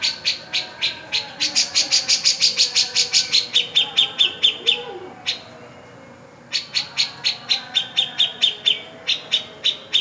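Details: Energetic cica jenggot song used to get silent birds singing: quick runs of sharp, high chirps that speed into a dense burst, then shift slightly lower, break off for over a second, and resume in regular repeated notes.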